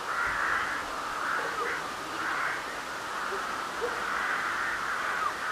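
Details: Many crows cawing at night in March 2021 under a full spring moon, a continuous throng of hoarse, overlapping calls that pulse gently in loudness without pause.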